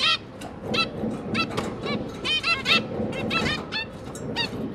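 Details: Zebra finch parents and their three juvenile babies during feeding, 5 September 2022: a dense run of nasal, honking beeps with bright harmonics, calls tumbling over one another almost without pause, above low background noise.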